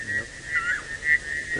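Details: Levaillant's cuckoo in Sabi Sand near Kruger Park, South Africa, during a sunset drive on 25 November 2017: high, clear whistled notes that hold steady then briefly dip and swell, over faint background rumble.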